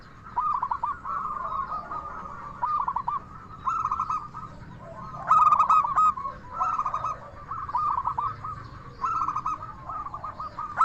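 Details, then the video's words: Local Indonesian zebra dove with a 'crystal voice' song, used as a lure to make other doves answer: rapid staccato cooing phrases, mid-pitched and rolling, with brighter, ringing bursts near four, five and a half and six and a half seconds. "Perkutut Lokal Gacor SUARA KRISTAL Ahlinya Bikin Semua Burung Perkutut Langsung Nyaut"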